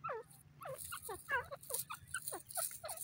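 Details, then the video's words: Grey partridge (irani teetar) giving a busy run of short, sharply falling notes, several per second at uneven spacing, over low background hiss. "irani teeter ke awaaz,grey partridge ki voice"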